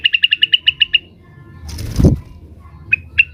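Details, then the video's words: Blue-winged leafbird, agitated and calling rivals, delivers nine quick evenly spaced bright chirps, then a rustling thud, then two more isolated chirps. "suara burung cucak wilis gacor, emosi manggil manggil lawan"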